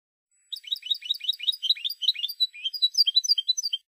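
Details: Continuous twittering song of a Spanish European goldfinch from a song recording made for silvestrismo fans: dense, fast chattering notes that shift in pitch, flowing without pause for over three seconds.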